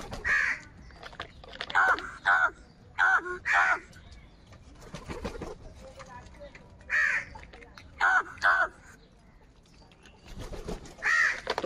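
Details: A group of crows in the morning, fighting for food, gives short hoarse caws in clusters of two to four. Quieter gaps separate the clusters, with faint background murmur.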